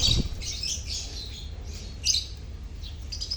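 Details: Lovebird colony chirping, played to prompt silent lovebirds to sing: dense overlapping high, scratchy chirps and squawks in quick bursts, a loud outburst near two seconds, steady low hum beneath.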